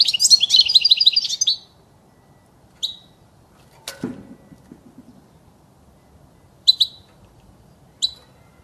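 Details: Goldfinch song recorded for chicks to learn: a fast, tinkling twittering phrase over a second long, then scattered single sharp chirps, with one dry knock or click midway.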